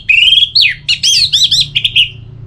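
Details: Orange-headed thrush in captivity, Bali, singing to stimulate other birds; a rising whistle followed by a quick run of looping, slurred high notes.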